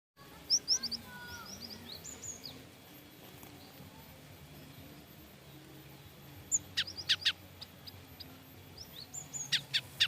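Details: Cinereous tit giving frightened calls, from a training recording for songbirds: brief high thin chirps and short downslurred notes early on, then sharp clicking bursts near the end, over a quiet hiss.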